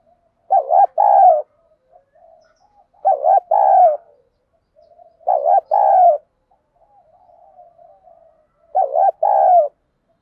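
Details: Spotted dove giving a 'giọng đồng' (thổ bầu style) call meant to provoke fighting and lure wild doves to a decoy; four low two-part coo phrases, a short note then a longer mellow one, repeated about every two and a half seconds.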